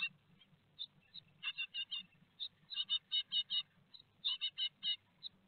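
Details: Great tits inside a nest box at Théding, France, on 4 May 2021, with a peanut meal. Bright high peeps build into fast runs of five or six notes, separated by short pauses, over quiet background hum.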